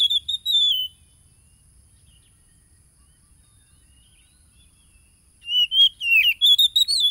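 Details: Oriental magpie-robin song used to provoke a caged bird into singing, recorded on a phone on 30 July 2022 in Tulus Rejo, East Lampung, Indonesia: loud whistled, warbling phrases at the start and again near the end, separated by quiet.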